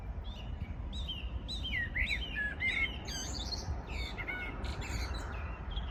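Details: Dawn-hour birds on 14 June 2022 sing a lively run of looping, warbling whistles and chirps, with several voices overlapping, over a steady low background noise.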